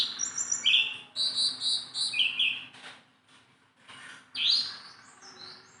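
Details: Persistent song from a tame Sunda bulbul: bright, rapidly repeated whistled phrases with sharp up-slurred notes, a quiet stretch in the middle, then a loud rising slur and scattered high notes.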